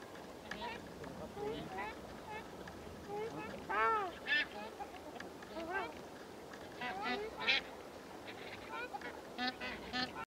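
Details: Flock of bar-headed geese taking off in Delhi, India: many nasal honking calls overlapping, some rising and falling, in bursts throughout, with background noise.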